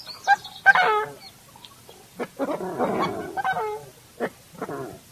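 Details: Coscoroba Swan giving slightly gruff, harmonic honks: a sharp pair of notes early, then a longer burst of rough, overlapping honks mid-clip, and two more short honks near the end.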